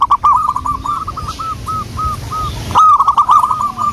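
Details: Local wild zebra dove used as a lure, cooing: a run of rapid rolling notes fading into spaced softer coos, then another loud bubbling burst, low rumble underneath.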